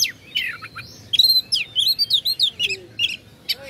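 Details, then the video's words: Oriental magpie-robin singing to rouse rivals: high slurred whistles and rapid chipping notes strung together, with several sweeping upward and downward phrases. "pancingan kacer agar respo gacor.. kacer ini mampu meningkatkan emosi lawan"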